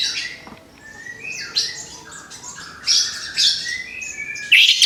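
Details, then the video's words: Orange-headed thrush fresh out of its moult, getting ready to sing again: scattered high chirps and short whistled notes with quieter gaps between phrases. "TERAPI ANIS KEMBANG BARU LEPAS BULU, SIAP BUKA PARUH LAGI"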